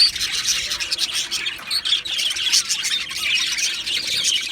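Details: Lively chirping by two male Australian budgies, a high, rasping chatter that swells and dips, with a short quieter moment near the two-second mark.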